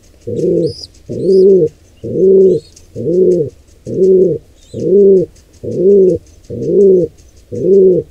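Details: Nine evenly timed, low hooting coos from a pigeon during an intruder pair's attack on a wild squab, with brief, high, faint bird chirps early in the sequence.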